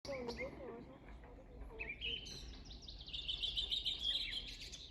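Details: Wild birds singing at Bornitsky quarry on 1 June 2021; high whistled phrases ending in a fast trilled series, with a woman speaking briefly over the start.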